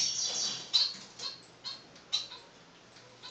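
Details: Blue-black grassquit; song; courting a female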